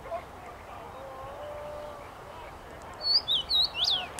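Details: Common rosefinch singing in a tree on 23 May 2021: after a quiet stretch with a soft background hum, a short clear phrase of four slurred whistles rising and falling, ending in a downward swoop.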